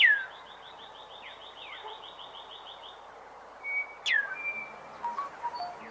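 Plain-capped starthroat: a sharp downslurred note, then a fast run of thin, high ticking notes for three seconds, and a few sharp squeaky notes at the end.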